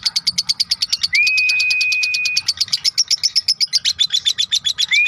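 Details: Lovebird in long 'ngekek' chattering used as a tutor recording for songbirds: rapid, high, scratchy chatter notes repeated several times a second, broken by a steady, pure whistled tone held for over a second.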